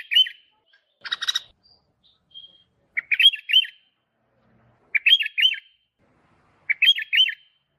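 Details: A sooty-headed bulbul's lure song opens with a brief scratchy rasp, then four crisp phrases of rolling, looping whistled notes follow at steady intervals of roughly two seconds against silence.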